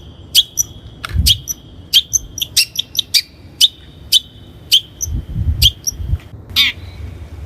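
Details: Lure recording of the long-tailed shrike (cendet) for training birds: crisp clicking notes spaced roughly every half second, each with a thin steady whistled tone behind it, and a few soft low thumps.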